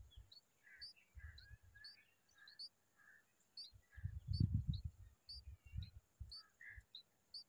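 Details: An adult bulbul sitting together with her chicks gives short, bright chirps and thin high squeaks in quick, uneven bursts, over heavy low rumbling from wind or handling noise.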